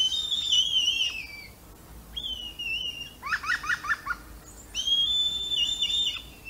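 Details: Red kite calls picked up by a microphone left outdoors in the morning: long wavering whistles sliding downward, a shorter whistle, then a rapid run of five stuttering notes before another drawn-out quavering whistle.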